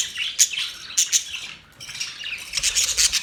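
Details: Budgie chirps: a few sharp high tweets early on, a short lull, then a rapid burst of overlapping chirping toward the end.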